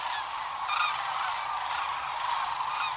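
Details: Sandhill cranes taking off en masse one morning along the Platte River, Nebraska, at Rowe Sanctuary: thick chorus of rolling, purring trumpet calls layered over one another, with a few louder individual calls rising out.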